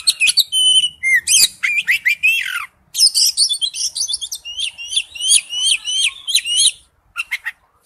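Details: Oriental magpie-robin wild-type song: varied whistles and buzzy slurs, then a steady run of about ten repeated chirping notes, ending after a short silence with a brief burst.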